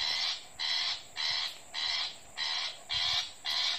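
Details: Recorded Long-tailed shrike call played from an MP3 as a lure to trap shrikes in a backyard garden one morning: harsh, raspy, scratchy notes about half a second long, repeated almost twice a second over a soft hiss.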